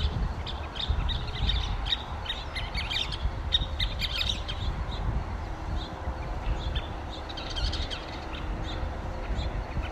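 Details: Scissor-tailed flycatcher giving sharp, high chips and short chattering runs, loosely spaced with busier spells, set against constant low-pitched background hiss.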